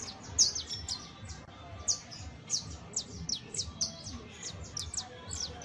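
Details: Saffron finch delivering bright, high chip notes that slide downward, spaced irregularly and sometimes doubled, against quiet background noise.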